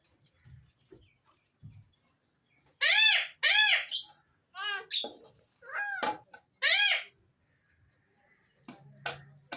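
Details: Alexandrine parakeet: a string of arching, harmonic calls, loud and closely spaced, each about a third of a second long, after a quiet start, with faint low sounds near the end.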